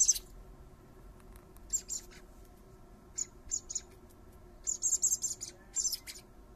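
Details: Fledgling common blackbirds, three of them, being fed by their father in a garden: scattered pairs of high thin squeaks building to a rapid run of shrill chirps, separated by short quiet spells.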